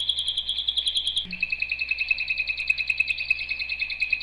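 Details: Singing canary: a clear pulsed high trill for just over a second, a short low note, then a slower series of distinct, evenly spaced chirps that repeat about five times a second.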